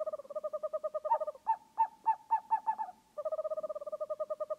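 An owl gives a rapid run of hollow, mid-pitched tooting notes, about ten a second, which slows to three or four a second midway, then speeds up again.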